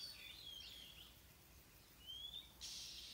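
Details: Stripe-throated bulbul parent calling while searching for a lost chick: thin, high whistled notes, some sliding, scattered across the clip, then a short burst of rushing noise near the end.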